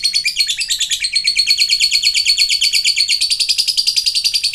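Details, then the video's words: Continuous lovebird ngekek: a shrill, metallic chatter of quickly repeated notes with a steady rhythmic pulse, loud and sustained throughout. "ngetik ngekek panjang jadikan Lovebird macet aktif ngekek lagi"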